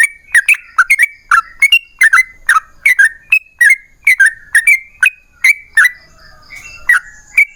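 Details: Yellow-vented bulbul in sustained rapid song meant to lure other bulbuls into singing: crisp, bubbling notes in clusters, slightly rising and falling, a short quieter buzzy patch around six seconds, then more notes.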